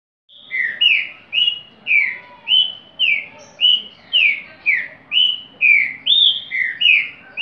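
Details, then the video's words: Rufous-bellied thrush singing a repetitive phrase: clear whistled notes alternating between a steady high note and a downslurred one, about two notes per second, evenly paced throughout, clean background. "TRINCA FERRO REPETIDOR"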